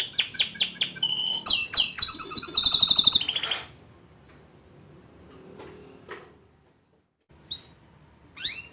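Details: Young male canary singing to prompt a juvenile to sing. Quick repeated chirps and a rapid trill for about three seconds, then near silence with a few faint distant notes.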